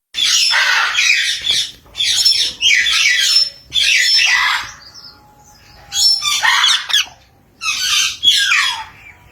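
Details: Green and blue parrot giving loud, harsh, raspy squawks in long bursts of one to two seconds, separated by short silences, with faint whistled tones between.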